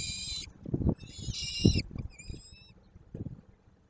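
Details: Peregrine falcon at a nest site in Koszalin, Poland, on 23 May 2024, scolding intruders, probably people on the chimney. Three harsh, rasping bursts with stacked harmonics, mixed with low knocking thumps.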